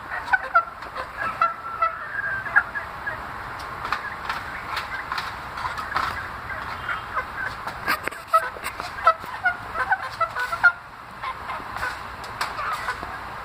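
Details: Several short, thin whistled peeps from chicken chicks kept in a cage, making funny, strange sounds. The peeps recur irregularly throughout, mixed with clicks and knocks over constant background hiss.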